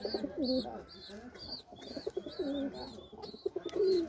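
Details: White Indian fantail (Lokkha) pigeon giving throaty, warbling coos, each dipping then swelling, in a near-continuous series, while high repeated chirps from other birds run alongside.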